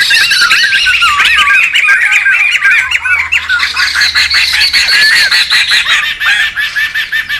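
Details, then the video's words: A rowdy chorus of wild laughingthrushes: rapid wavy whistles tumble over each other on top of continuous rough, buzzy chatter, with the whistling thinning while the harsh chattering carries on. "SUARA PIKAT DAN MASTERAN SEMUA BURUNG POKSAY RIBUT ALAM LIAR"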